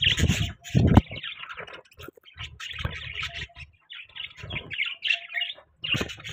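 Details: Morning chatter of caged budgerigars: busy high chirps and warbled notes in clusters, with low knocking thuds now and then.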